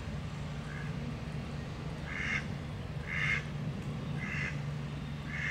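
Mallard quacks: harsh, nasal calls about once a second, over a steady low hum of background noise.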